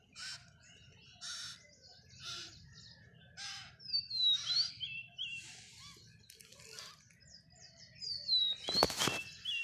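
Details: Hand-fed parrot chick on day one, begging: a steady series of short, harsh rasps, about one a second, with descending whistles and a sharp click near the end.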